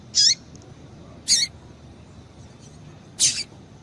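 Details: Calls of a female double-collared seedeater used to excite a male into song: three short, high, sharp chips at irregular intervals of one to two seconds, the last a little doubled, over quiet background noise.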